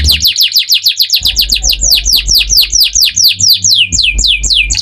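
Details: Canary singing as a lure to prompt other canaries to answer: a fast run of repeated downward-sweeping chirps, about four per second, with low electronic hum and background noise.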